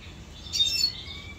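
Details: A pet red siskin, recorded 2022, gives a brief high twitter of thin, shimmering notes, then a faint trailing whistle fades out over quiet low hum.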